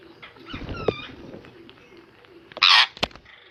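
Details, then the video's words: Pet ringneck parrot making soft chattering and a brief whistled note, then one sudden, piercing, sustained screech lasting under half a second, followed by a sharp click. "Ringneck parrot"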